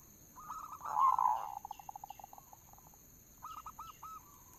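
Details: Local zebra dove cooing as a lure: a loud blurred trill opening into a string of quickening soft pulses that fades, then a short three-note coo phrase, with faint chirps above and a steady whine.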